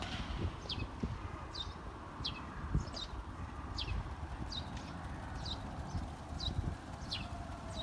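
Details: Sparrows hidden in riverside cherry trees beside a footpath in Kanazawa-hakkei, Japan, 11 May 2019, about 15:13: short, high, downslurred chirps about once a second over low rumbling and knocking of a shutter being lowered.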